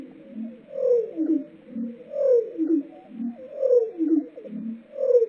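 Lark bunting song slowed down to a deep, hollow register: slurred falling-then-rising phrases with low trailing notes, repeating about every one and a half seconds.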